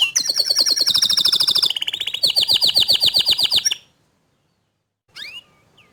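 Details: A canary sings, recorded as a young, untrained canary responds after hearing another canary sing loudly. Fast rapid-fire trills of high chirps come in several pitched sections, then silence and a brief twittered note.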